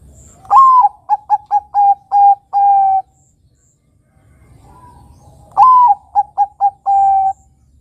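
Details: Zebra dove (perkutut) song used as a lure to prompt young doves to start singing: it coos twice, about five seconds apart, with a rising opening note, a quick run of short coos, then a long final coo, all low and mellow.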